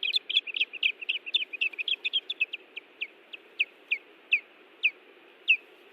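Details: Osprey pair at their Hellgate Canyon nest in Missoula, Montana, June 18, 2017, defending the nest: a fast burst of sharp whistled chirps that slows into spaced, downslurred piercing notes.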